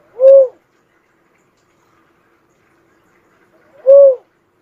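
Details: Two short, soft coo notes from a cuckoo-dove, separated by about three and a half seconds of quiet, each gently rising and falling.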